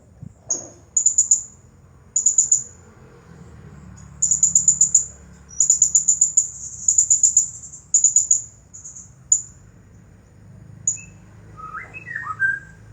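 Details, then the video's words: Nonstop song of a champion Blue-crowned hanging parrot, 'nagih hutang' style: bursts of extremely high, tinny ticking notes in rapid strings of four to six, spaced about a second apart, with a few lower whistled slurs near the end. "Serindit Juara Nonstop Bunyi Gaya Nagih Hutang"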